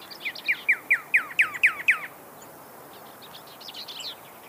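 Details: Desert cardinal, or pyrrhuloxia, repeating a sweet slurred whistle seven times, each dropping in pitch, about four per second, followed by faint high chattering notes in the background.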